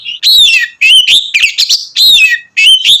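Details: Oriental magpie-robin singing loudly and continuously, a full-volume performance meant to provoke and stir up other magpie-robins; bright whistled phrases with slurred, rising and falling notes, delivered in bursts separated by brief pauses, no other sounds.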